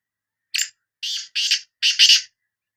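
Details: A single bulai phrase from a Sindhi black francolin: one short scratchy note, then four loud, harsh, buzzy notes in quick succession, the last two run together, ending abruptly.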